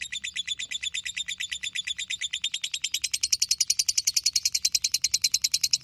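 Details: Lovebird giving the long ngekek song used as a model for training other birds: a rapid, even trill of harsh chattering notes, about three or four per second, rising slightly in pitch and growing louder toward the end.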